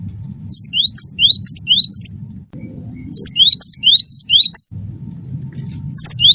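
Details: A gacor wingko gelatik batu, the cinereous tit, singing to draw out song in other birds: repeated ringing two-part whistles in rapid runs of four to five phrases, separated by short pauses, over a low rumble.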